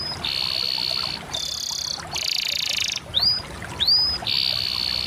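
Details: Canary rolling out blocks of dense, buzzing trills at two pitch levels, broken by a pair of quick up-and-down whistled slurs before a final steady roll.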